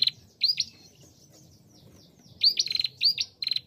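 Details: Female bar-winged prinia, a vivid, active singer used to provoke other prinias into singing quickly. Sharp upslurred whistles are followed by rapid buzzy pulsed runs, in two bursts separated by near silence.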